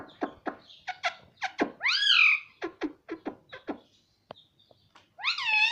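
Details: Indian ringneck parakeet talking in Hindi, said to repeat words such as "mummy" and "mitthu"; a run of short clicking syllables, then a loud arching harmonic utterance, more clicks and a final rising drawn-out phrase.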